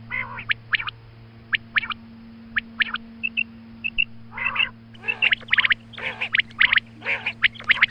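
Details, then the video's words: Female quail calling in the morning, recorded as a hunting lure: short, harsh, nasal bursts, single or in quick pairs, spaced irregularly and growing denser toward the end, over a steady low electrical hum. "Female Quail Calling Suba Lagty waqte Ki Awaz Female Batair Calling"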